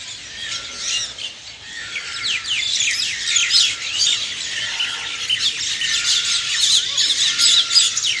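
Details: Early-morning chirping from many birds, quick downward-slurred tweets and high trills crowding together, growing busier and louder across the second half.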